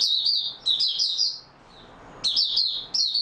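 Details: Oriental white-eye singing steadily, recorded 28 February 2022. Rapid high, sweet twittered notes pour out for about a second, fall briefly silent, then return as two more bright, downslurred bursts.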